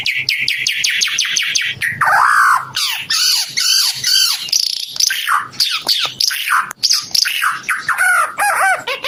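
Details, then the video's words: A Timor red-eyed bird opens with a rapid string of sharp, descending ticks, then breaks into squawky, swooping phrases and sliding whistles mixed with harsh notes. "Kicau Burung Ara UNIK Mata Merah Suara Gacor"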